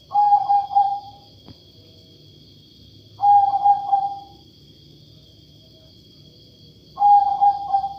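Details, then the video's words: Zebra dove of the katuranggan majapahit type, unusual-sounding: three cooing phrases about every four seconds, each quick stuttered notes gliding into a held mid-pitched tone, with a steady faint high whine behind. "Burung perkutut bersuara aneh"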